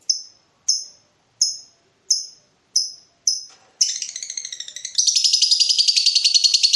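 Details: Lovebird in breeding mood provoking a rival: six sharp high chirps at even intervals, then a buzzy chatter that breaks into a fast, continuous rattling ngekek trill.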